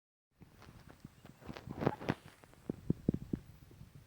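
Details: Irregular dry thumps and crunching footsteps outdoors, growing louder midway, with no animal call heard.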